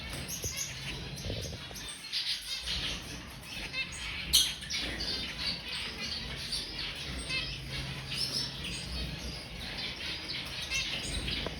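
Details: Zebra finches, settling down to sleep, giving soft, high chirps and short nasal beeps in a steady chatter.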